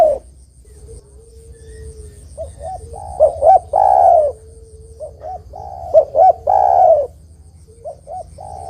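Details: Spotted dove singing on a recording meant to lure birds and prompt them to answer: a faint steady low tone between phrases, then paired short coos and a long loud falling croo, repeated twice.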